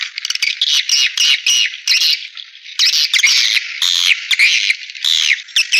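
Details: Swiftlets calling, a sound used to attract them to nest houses: continuous buzzy chattering with repeated downslurred chirps and rapid clicks, barely pausing throughout.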